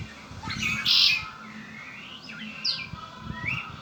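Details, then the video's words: Red-winged blackbird, an owner's pet, gives a harsh buzzing trill early on, followed by several thin downslurred and upswept whistled notes, with soft low clatter in the background. "Hermoso y exótico canto del Mirlo ala roja ó Red winged black bird."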